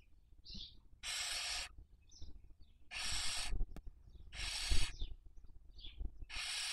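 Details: Barn owl in Cabañeros National Park, Castilla-La Mancha, Spain, captured by nest webcam in the 2023 breeding season while raising young. Four evenly spaced, loud hissing screeches, each preceded by a brief high chirp, over a low background rumble.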